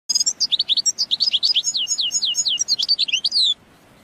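A goldfinch sings a fast, bright twittering run of high, tinkling notes and slurred downward whistles, packed tightly for about three and a half seconds.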